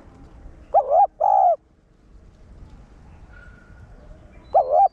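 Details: Cooing of a decoy spotted dove in the single-tail-note style meant to provoke caged males: a wavering note then a sustained one, then a long pause with a faint thin tone, then another phrase.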